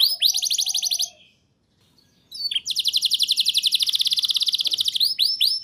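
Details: Canary song played to prompt young birds to sing, a fast high rattling trill that stops, falls silent about a second, then resumes as a long rapid pulsed trill ending in upward-swept whistled notes.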